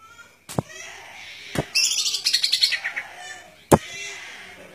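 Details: A short burst of rapid, high-pitched trilling from a golden-fronted leafbird lasting about a second, set between loud sharp knocks.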